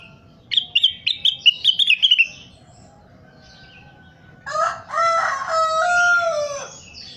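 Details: Crested partridge, an active caller on a training recording: a rapid string of clipped, ringing notes slipping slightly downward, a pause, then a long harsh, rasping descending call.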